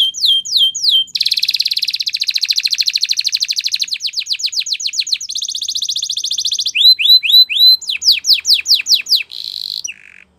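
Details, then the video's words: Spanish Timbrado canary singing a training song, clean and loud: short hooked notes, a long rolling buzzy trill, rapid steep sweeps, another dense trill, then rising whistled hooks and a final rattle. "Canary Singing Champion !! Spanish Timbrado Song"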